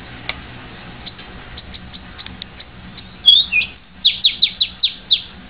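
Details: White-rumped shama uttering faint soft ticks, then a loud whistled phrase followed by a quick rhythmic series of about eight sharp descending notes.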